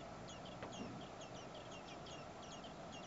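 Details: Common blackbird nest holding four hungry nestlings being fed by both parents during heat over 30 °C; scattered short, high, downslurred cheeps repeat unevenly against steady broadband noise.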